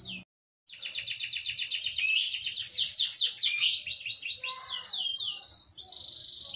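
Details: A fully trained Belgian canary sings a long, fast, continuous song of bright rolling trills and chattering tours, switching phrases every second or so, over a faint low background hum; the recording is meant for tutoring young birds.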